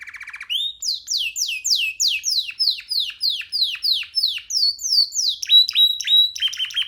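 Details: Free young canary perched on a hand sings a rapid series of bright descending whistled slurs, about twelve in a row, followed by short steady whistled notes.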